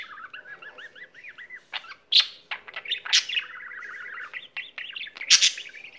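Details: Pet budgerigar singing indoors and, as stated, not stopping once it starts; a chattering warble of quick rising-falling whistled notes mixed with sharp clicks and bright squeaky bursts, running nonstop through the six seconds.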